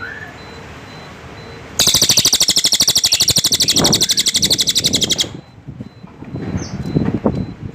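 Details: Cililin bird song: a loud, dry, buzzy trill of rapid pulses, about eight per second, lasting some three and a half seconds, followed by quieter background with faint distant chirps.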